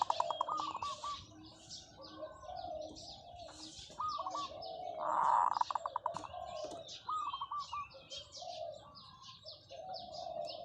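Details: Long calls of a decoy zebra dove: repeated rolling, trilled coo phrases a few seconds apart, with bright chirps and twitters of other birds overhead.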